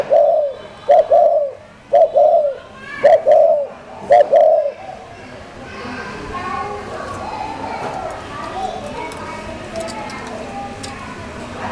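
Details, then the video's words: Spotted dove, kept in a collection in Hanoi: a series of low, soft, paired cooing notes repeated about once a second for five seconds, then fading into faint background chatter and rustling. "cu gáy Thổ"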